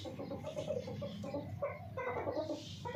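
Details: Hen giving soft, low clucks in a quick, uneven series of short notes, with a few louder, sharper notes in the second half over a low background rumble.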